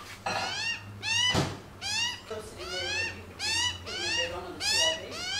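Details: Several Australian magpies on a lawn, being fed bacon, call in the family with a quick run of repeated, slightly rising nasal notes, about eight in five seconds, with faint background sounds.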